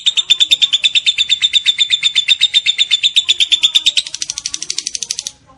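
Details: Lovebird giving a long ngekek chatter, a competition-style master song: a rapid, even series of high, harsh chattering notes, about eight per second, steady for four seconds then rising slightly in pitch before stopping.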